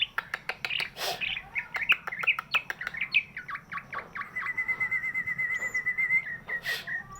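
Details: Greater green leafbird with a big body, singing as a lure for birds that will not sing: rapid clicking chirps giving way to a long steady whistled tone, then sharp bursts of noise at the end.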